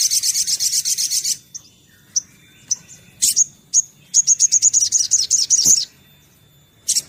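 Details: Sunbird song played to lure birds into singing: a fast high buzzy trill opening, then scattered thin high chips, a sharp burst and another rapid series of bright ringing notes, ending with a short chirp.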